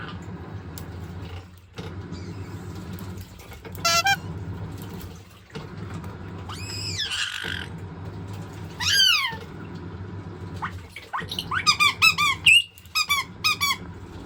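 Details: Pet white-bellied caique indoors, excited by the sound of water in a running washing machine, giving repeated sharp descending squawks and quick chattering bursts over steady low machine rumble.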